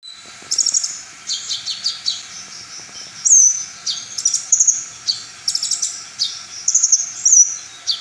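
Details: Brown-throated sunbird singing its full repertoire, a song said to stir other sunbirds into emotion and into singing their own material: high, thin chirps and twittering trills with sharp whistled notes, in bursts separated by short pauses.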